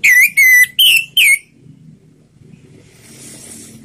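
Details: Slow ngeplong song from an orange-headed thrush, meant to get silent birds singing: four evenly spaced, clear whistles, the first two lower and slurred, the last two higher and falling, followed by faint hiss.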